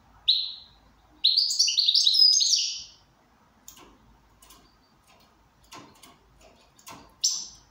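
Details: Goldfinch said to be in good condition: a short chirp, then a rapid tumbling twittered phrase, followed by quiet clicks and taps and a final bright chirp.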